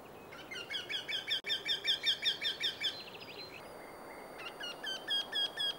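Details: Eurasian wryneck calling in display, recorded in Sweden: a fast series of about a dozen nasal, evenly repeated notes, several per second, then a pause and a second similar series, over steady background noise.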